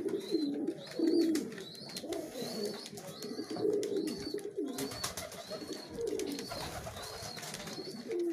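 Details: Feeding pigeons competing for food give repeated low, throaty coos, while a high chirp from another bird sounds roughly every second amid constant pecking clicks.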